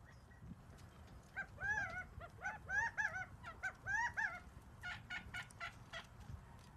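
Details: Gambel's quail giving wavering, nasal, bending notes in quick groups, followed by sharper clicks and a low rumble of background noise.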